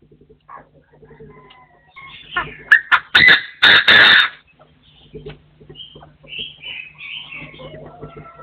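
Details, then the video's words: Partridges crowing: soft scattered notes lead into a loud run of harsh, grating bursts, then quieter trailing chirps and whistled notes from birds further off, with a steady low hum throughout. "The latest sound of partridges in 2024 crowing"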